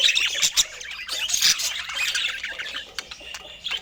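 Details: Budgerigars with fruit and healthy food give loud chirps and squawks early on over a constant background of softer twittering, followed by a few sharp clicks and taps.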